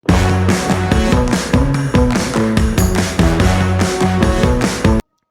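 Loud, driving rock music with heavy bass and drums and no animal voice, ending abruptly in silence.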